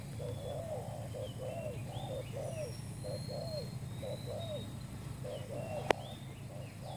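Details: Lure recording of a new spotted dove for trapping: a run of rhythmic hoarse coos, steady and regular, while other birds give thin high whistles in the background, with low hum and one sharp click.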